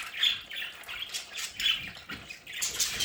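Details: Several pet budgerigars kept at home in their play area give harsh squawks and quick chirps in irregular bursts, some brief wing flutter.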